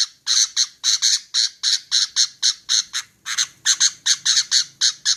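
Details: Harsh, buzzy chip notes from a female sooty-headed bulbul, fired off roughly four times a second in a steady, slightly uneven run after a short opening gap. The background is quiet.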